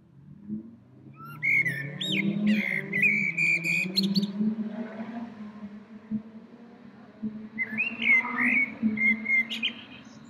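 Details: Small songbird singing from a tree in spring: two bursts of sweet, rising and warbling whistled phrases separated by a pause, over a continuous low droning hum.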